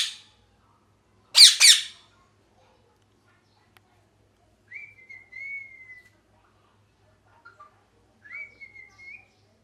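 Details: Parrot gives one brief, loud, rasping double squawk, followed by long quiet gaps broken by faint, thin whistles, some level and some rising at the end.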